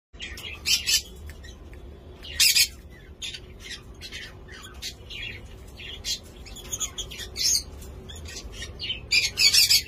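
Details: African grey parrot (Psittacus erithacus) gives harsh, high squawks and short screechy bursts at irregular intervals, with quieter chatter between; no clear words stand out.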